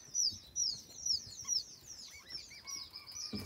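White eared pheasant chicks give thin, high peeping chirps about twice a second, with softer lower chirps from other chicks overlapping toward the end.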